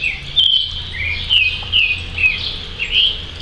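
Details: On a rainy October morning, a creamy-bellied thrush sings short, clear whistled phrases roughly twice a second, partly drowned by the steady hiss and patter of rain.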